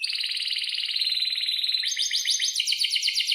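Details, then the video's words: Vigorous canary song, a long rolled style used as a tutor recording for young canaries learning to sing: a steady buzzy trill held for almost two seconds, then switching to a faster, brighter run of rapid repeated notes. "kenari gacor panjang buat pancingan kenari paud belajar bunyi agar NYAUT"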